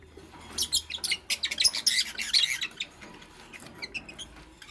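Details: Green Fischer's lovebird sharing space with a pastel bird while nest-building: a rapid, dense run of high, bright chirps for about two seconds, then fading into a few softer, scattered chirps.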